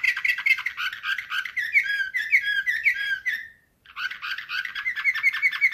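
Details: Canary singing in the Slavujar (nightingale-style) song type, 2024: dense rapid whistled and chopped notes with bright rising slurs, a sustained warbling run that breaks off for a brief silence near the end, then resumes as fast repeated notes.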